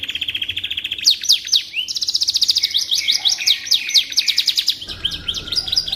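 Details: Canary delivering continuous song for magpie robin training: a low rolling trill, sharp V-shaped slurred notes, and a long high rapid trill, with fainter lower sounds near the end.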